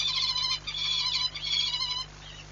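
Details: Peregrine falcon at the Orlen Płock nest site, Poland, on 19 March 2022: three harsh, drawn-out rasping calls, each about half a second long, in quick succession, with a faint low hum behind.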